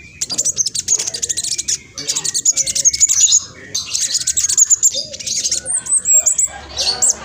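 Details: Fast-singing speckled black sunbird, kept as a lure to set other birds answering: a dense, nearly continuous run of very high rapid chirps and trills, shrill and twittering, with short looping whistled notes.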